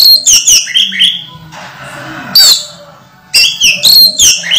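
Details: Caged orange-headed thrush in moult, still singing vigorously: bursts of sharp, high whistled and buzzy notes with quick slurred warbles, broken by a short gap of quieter rustling before the phrases resume.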